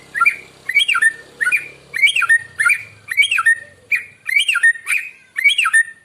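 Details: White-rumped shama singing in the morning, a song used to lure other birds, delivered as about ten short, sharply swooping whistled phrases repeated roughly every half second to second, followed by a man talking.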